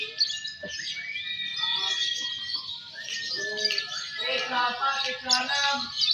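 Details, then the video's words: Lovebird song at a singing competition, Fighter M1 and M2 Balibu birds: continuous high, buzzy chattering twitter with long thin whistled notes, over steady crowd voices and murmur. "Suara Burung Loverbird Fighter M1, M2 Balibu Saat Lomba"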